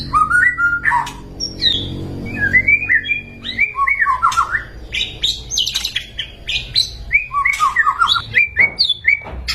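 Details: White-rumped shama singing a varied lure song: quick whistled figures, short trills and squeaky notes scattered across the recording, over steady low background noise.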